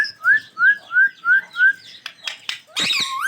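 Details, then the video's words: A pair of rose-ringed (ringneck) parakeets calling: five clear rising whistled notes evenly spaced about a third of a second apart, then a few sharp clicks and a harsh, loud squawk at the end. "Natural sounds of ringneck parrot pair"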